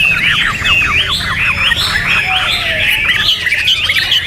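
A Hwamei sings loud, rapid, varied phrases of slurred whistles and harsh squawky notes in a dense, unbroken stream, with a low steady hum beneath.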